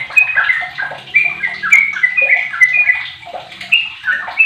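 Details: Sooty-headed bulbul aged fifteen, used to lure other bulbuls into song, pouring out a continuous chattering warble of short up-and-down whistled notes with a faint low hum beneath.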